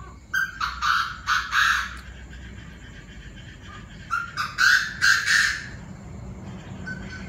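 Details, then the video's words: Chinese francolins with several voices calling raucously in the evening at 7 pm: two bouts of harsh, scratchy notes, each a rapid string of four or five, separated by a pause of about two seconds. "Tụi đa đa - nhiều giọng - đại náo lúc 19h"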